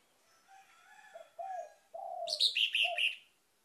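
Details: Orange-headed thrush song played to lure other birds into singing: soft low whistled slurs build into a louder burst of bright, high, rapidly repeated notes over a mellow lower whistle, then fade out.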